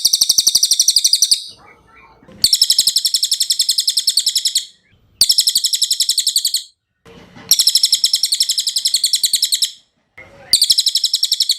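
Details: Cililin song from a masteran tutor recording for cage birds: high, rapid trilled bursts of evenly repeated buzzy notes, each lasting one to two seconds, separated by short silences, with faint low rustling in the gaps.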